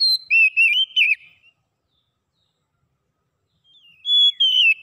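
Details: Oriental magpie-robin song aimed at getting a quiet bird singing: brief warbled whistles fading out, a long pause, then a flat whistle sliding into twisting notes.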